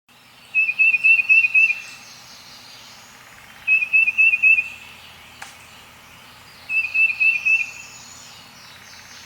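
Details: Tufted Titmouse singing its Peter, Peter, Peter song, lower-pitched than the Black-crested's: rapid bursts of about five whistled notes, repeated every three seconds, with a faint low rumble and one sharp click.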